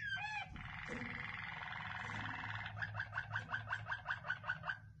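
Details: Waterslager canary sliding through falling whistled slurs into a long rolled trill, then a steady sequence of about ten gurgling, bubbling notes at roughly four per second, with a faint low hum.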